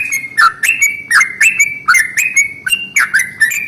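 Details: Long rolling 'ropel panjang' morning song of a Yellow-vented bulbul, used to prompt other bulbuls to sing; loud warbled chirps with downward slurs and ringing overtones, steady and evenly paced.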